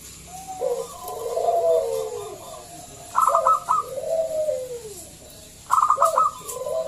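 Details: Local zebra dove with a big, loud voice, used to coax other doves to sing; soft arched coos broken by two bursts of fast rattling notes followed by descending coos.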